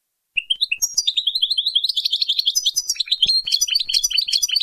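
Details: Goldfinch in Baynam Ghazarat song for training chicks; a continuous, fast, liquid twittering stream of high tinkling and buzzy notes, with some clicks.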